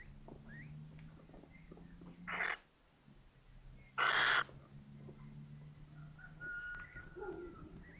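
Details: At a Little Owl nest in an attic in Tiszalök, Hungary, on hatching day of the first egg, 24 April 2024. Two rasping, hissy screeches come about two seconds apart, with faint chirps and a low hum between them.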